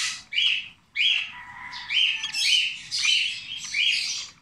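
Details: Hand-fed 26-day-old rosy-faced lovebird chick begging: rasping, buzzy squeals that run together almost without pause, each bursting into a brief whistled note, insistent and high-pitched throughout.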